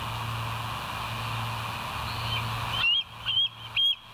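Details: Bald eagle at West End on a live nature cam, 25 September 2023 near 07:00: steady low hum and background noise, then three sharp, high whistled notes spaced about half a second apart near the end.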